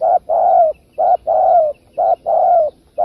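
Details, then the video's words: Spotted dove coo used as a trapping lure, delivered about once a second in steady rhythm: a brief two-part hoot, then a drawn-out coo that sags in pitch at the end, repeated three times without background sounds. "Tiếng chim cu gáy kích bổi cực đỉnh"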